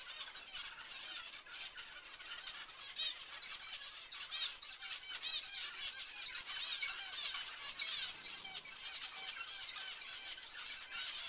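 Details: Crowded zebra finch chatter, many short nasal honks and trills piling over each other for the whole stretch at an even loudness.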